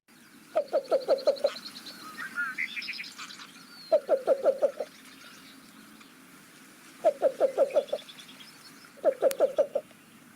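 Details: A secretive Least Bittern in wetland vegetation gives its gentle cooing call, four soft, low runs of five or six rapid coos, each run about a second long, not loud or far-carrying, with brief higher chirps from other birds between them.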